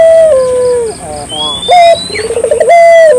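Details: Barbary dove singing lively to stimulate local doves: a long level coo dropping into a falling slur, faint ringing notes, then a sharp clipped note, a fast throbbing rolling coo and another drawn-out tone. A thin rising whistle and a steady high whine are in the background.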